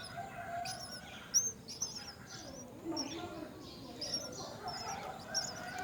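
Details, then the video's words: Nestling mynas being fed by their mother give scattered sharp, high, wavy chirps, some louder clicks and squeaks among them, and a quiet background hum. "Mother birdmyna feeds her young at the nest"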